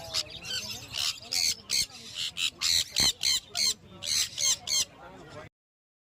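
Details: Series of rapid harsh squawks from a pet sun conure, about two per second, growing louder in the middle before stopping abruptly.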